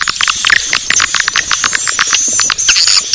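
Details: Swiftlet call played as a lure, named 'Naga Birahi': steady high thin whistles running throughout over a fast stream of clicks, with a few sharp chirps and short twitters scattered across.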